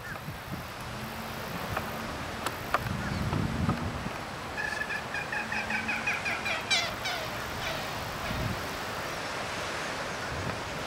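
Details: An American coot in a city park, where adults pass food to each other and then to their chick, gives a quick run of clucking, nasal pulses over a low wind rumble.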